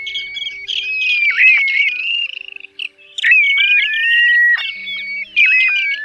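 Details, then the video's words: Plovers of several kinds, used as night lure calls for net trapping, give a busy run of high whistles, squawks and quick rattling trills, some notes swooping down, over a faint steady low hum. "Tiếng Choi Choi Các Loại Tổng Hợp"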